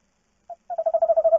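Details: Tawny owl at a nest box webcam at night, the female going out while the male watches over the eggs; a short single note, then a rapid, even, pulsed trill that grows louder and is cut off.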